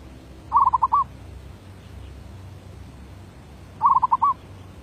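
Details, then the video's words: Zebra dove (merbuk), 2019, performing derak labuh voice-B song: two matching phrases roughly three seconds apart, each a quick stutter of coos closing on a longer curling note. "Suara B Derak Labuh"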